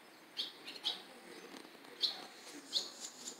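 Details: Barn swallows around a nest with begging chicks at Jeongseon bus terminal, Gangwon-do, South Korea. A few sharp, high, short chirps spaced irregularly over quiet town background. Recorded on a smartphone.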